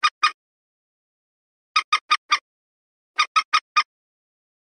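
Common Moorhen giving harsh, clipped croaking notes in quick runs of two to four, with silent gaps between runs; nothing else is heard.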